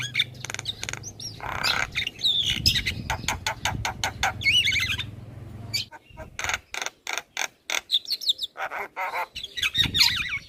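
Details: A Javan myna, described as extremely chatty and never quiet, delivers dense harsh chatter with slurred whistles, then a pause and a series of sharp, evenly spaced clicks and rasps; low hum in the first half.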